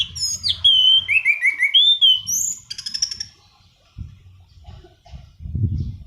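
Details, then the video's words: Black-throated laughingthrush in loud, rolling song for luring and tutoring birds: tumbling whistled phrases with several descending slurs, then a rapid buzzing rattle, followed by quiet pauses with low thumps. "Anis Cendana Kicauan Gacor Ngerol"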